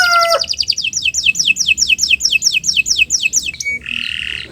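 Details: Canary singing in the morning to serve as a model for other birds, opening with clear whistles and trills, then a long series of quick down-slurred notes ending in a harsh buzzy phrase.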